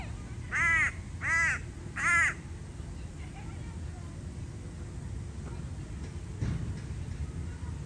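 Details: A crow in a park gives three harsh, hoarse caws in quick succession, about one every 0.75 seconds, followed by quiet with low background rumble and a faint distant knock.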